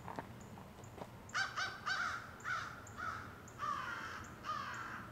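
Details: Crow in woodland giving a series of harsh, hoarse caws, several in quick succession, over a noisy background with faint high whistled notes from other birds.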